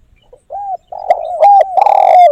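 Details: Spotted dove call used to lure birds into traps: a soft opening coo, a rolling mid-pitched phrase, then a loud, long coo that slides downward at the end.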